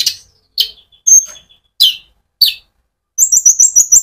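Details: Actively singing sunbird in rolling song, played to excite other birds; a series of sharp, high, downslurred chips spaced about half a second apart, ending in a rapid thin trill.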